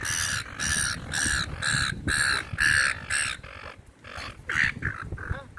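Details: Seagulls in a park while being fed, giving a rapid series of harsh nasal squawks, about seven strong bursts then softer scattered calls, with low rumbling background noise.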